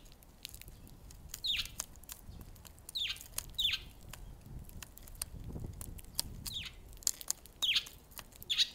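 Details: Wild sparrow visiting on 13 February, giving short sharp descending chirps spaced irregularly a second or more apart, with faint clicks and light handling noise between calls.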